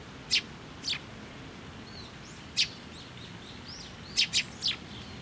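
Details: Sparrows, parents with chicks, arriving for food on a post at a Tenmangu shrine on 11 June 2024, giving loud sharp chirps scattered over five seconds, some in quick threes, with faint softer high calls in the background.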